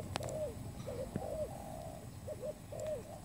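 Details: Spotted dove, recorded as a trapping lure, giving short soft coos in small groups of two or three, the notes bending downward, with a click at the beginning and low background noise.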